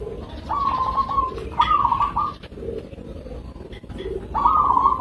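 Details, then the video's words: Local zebra dove (perkutut) giving stuttering trilled coos in quick succession, with a fainter lower murmuring sound between phrases and low background noise. "Suara Perkutut lokal"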